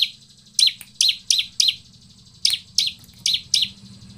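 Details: A bar-winged prinia (ciblek), recorded as a lure to get other ciblek singing, gives loud, sharp chipping notes in two bursts of four, about three notes a second, with a short pause between bursts.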